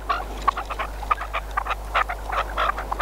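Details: Red-legged partridge kept as a hunting decoy in Spain, giving a rapid, irregular string of short harsh clucking notes, roughly one or two per second with bursts between, over a constant low hum.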